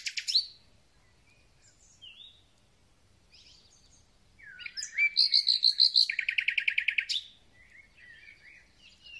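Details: At the start of spring a thrush nightingale sings: scattered short whistles, then a loud rattling series of some twenty rapid, evenly repeated chopping notes lasting about two seconds, followed by soft twitters.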